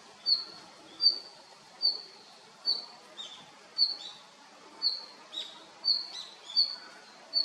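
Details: Short high notes from a male red-flanked bluetail, ten in seven seconds at a slightly uneven pace, with a few softer chirps slipped in between.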